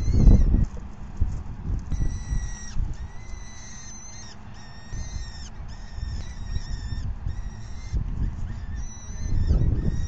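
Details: Begging falcons at a nest feeding, the fifth of 9 May 2020, at 4:40 PM. Squealing calls rise then fall and repeat steadily in a long series, about four per second, over loud, low, rumbling wind-like noise that swells at both ends.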